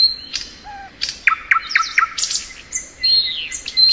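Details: In spring, a thrush nightingale sings a jumble of low whistled note, clicking strokes and repeated sharp notes, ending in high buzzy phrases and a sustained thin whistle.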